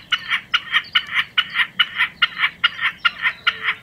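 A common snipe gives a steady, rhythmic chipper song of harsh, two-part 'chip-a' notes, about two or three each second, over a faint low hum.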